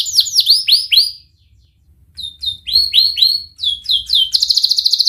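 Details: Canary singing as a lure for young canaries learning to sing: bursts of quick, sharp down-slurred chirps, a pause of near silence, then more clipped chirp phrases ending in a rapid buzzy high trill.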